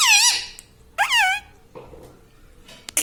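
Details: Pet parrot in a small room, speaking the word "Mummy": two loud screechy utterances with arching, falling-then-rising harmonic tones, followed by quieter lower sounds and a sharp squeak at the end.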